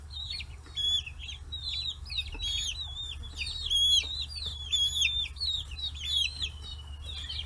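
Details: Forty-day-old chicks feeding on fish heads at a free-range poultry farm in Kitahiroshima, Hiroshima, Japan; loud, clear peeps that rise then drop, layered from several birds, with bright overtones and a low background drone.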